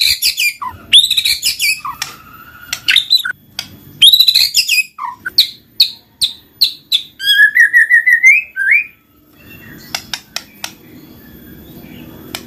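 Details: White-rumped shama, called murai batu, singing a 'gacor ngeplong' lure: fast varied phrases of whistles and sharp chips, a rising trill of slurred notes, then scattered clicks over low background noise.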